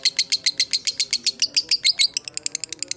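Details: Short ngekek burst from a fighter lovebird, used as a lure for other lovebirds: about a dozen strong grating notes, the last few longer, followed by a quicker, softer run of clipped chips.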